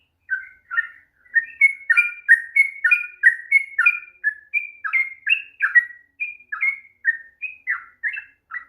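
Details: Sooty-headed bulbul singing a long ropel song used to provoke a reluctant bird to sing: a quick run of bright whistled and chirped notes with paired tones, steady for about eight seconds.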